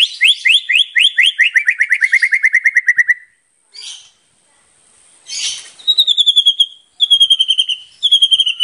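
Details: Murai batu, or white-rumped shama, in full 'gacor' song: a fast, accelerating series of whistled notes sliding downward, then brief rustling noises and renewed high, clipped note repeats.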